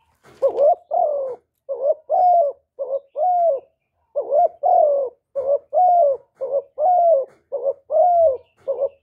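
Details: Spotted dove cooing used to rouse decoy doves: a steady run of low paired notes, a quick quavering coo then a sustained falling one, about eight pairs in nine seconds with no other sounds.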